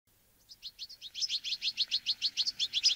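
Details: Wintering flock of Bramblings, Fringilla montifringilla, feeding on sunflower seeds; a fast series of short, high chirps repeated about six times a second, steadily growing louder.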